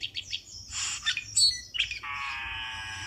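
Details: Black-winged starling calls used as a lure for trapping birds: quick chirps, then harsh scratchy chatter and squawks, ending in a long, buzzy, nasal drawn-out note.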